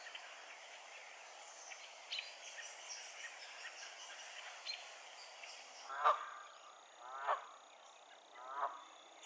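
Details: A wild Canada goose pair calling from a lily-pad perch in Massachusetts, USA, gives three loud, nasal honks about a second apart; one goose spins its head while calling. Faint small-bird twittering and steady hiss are heard first.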